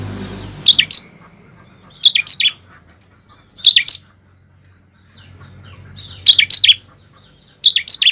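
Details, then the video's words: Ciblek, the bar-winged prinia, singing to stimulate other kept birds: clusters of sharp, high, rapid chirps separated by pauses of about one second, over a soft low background hum. "pancingan ciblek ampuh mempercepat ciblek gacor dan ciblek ngebren"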